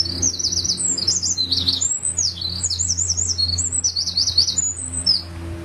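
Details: Eurasian wren singing under the eaves of a temple in Kanagawa, Japan, filmed handheld on a compact camera's built-in mic: loud, very high, rapid trills and zigzag warbles in a continuous cheerful stream, with a low steady hum beneath.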